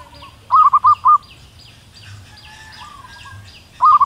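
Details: Wild local female zebra dove calling a male: loud bursts of four quick, rolling cooing notes, repeated after a pause, with a fainter phrase between and small birds chirping high in the background.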